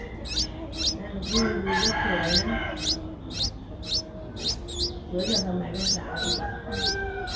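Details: Streak-eared Bulbul chicks aged eight days, Ubon Ratchathani, Thailand, 10 April 2023. They utter bright, high, upswept chirps about twice a second, with people talking quietly underneath.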